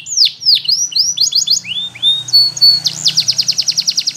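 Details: A Belgian canary sings a string of downward-sweeping whistled notes, a short steady tone, then a very quick, even rolling trill, with a faint low murmur underneath.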